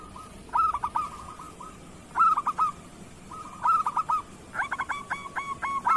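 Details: Zebra dove, local Indonesian type, singing as a tutor for other doves. Repeated phrases of rapid stuttering coos, with a long run of evenly spaced bright notes near the end and quieter coos behind.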